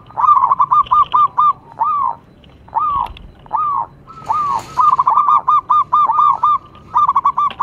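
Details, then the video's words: Singing local zebra dove: rhythmic, resonant coos, some in quick runs and some spaced singly about every second, with a short rustle partway through. "cukup sekali dengarkan perkutut lokal ini manggung"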